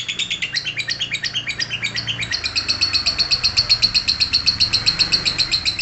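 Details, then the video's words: Lovebird ngekek: a loud, fast, high rattling chatter, rougher at first, then settling into a very regular stream of pulsed notes that runs on without stopping. "Cek - cek cer Lovebird langsung ngekek"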